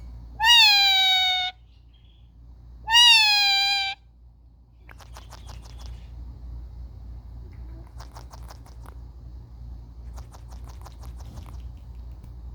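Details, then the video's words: Indian ringneck parakeets playing as household pets, recorded on a phone: two long, steady, harmonic screams about two seconds apart, then scattered bursts of soft, scratchy chatter. "Indian Ringneck Parrots playing"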